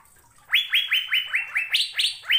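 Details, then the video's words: After a brief quiet start, an Asian fairy-bluebird gives a lively string of ringing, rising whistles, steady and evenly spaced, with a couple of higher-pitched notes near the end. "Burung Sorga Cucak Biru Sedang Bernyanyi Gacor"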